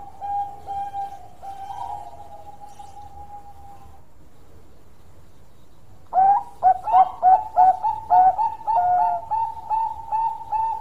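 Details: Bangkok-type zebra dove in full long song: a sustained whistled tone, a pause, then a run of short clipped cooing notes repeated about three times a second.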